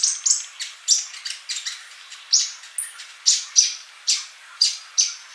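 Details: Sunbird in vigorous song, prepared as a tutoring recording for caged birds: sharp high chirps and short downslurred notes repeated about twice a second, some bright whistled phrases, with no other sounds.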